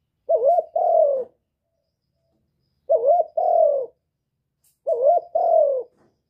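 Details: Spotted dove call used to stimulate birds: three low, mellow two-part coo phrases, about two seconds apart. Each is a wavering note followed by a longer, sliding note. Clean, quiet background.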